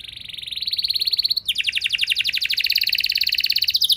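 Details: Canary singing as a lure to get other canaries singing: steady rapid trill that breaks at a sharp upward note into a louder, dense rolling trill, over light background hiss.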